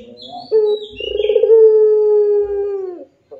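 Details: Puter dove in pelung song: a rippling tremolo that swells into one long, steady, gently falling coo that fades out, with a few thin high chirps from another bird at the start.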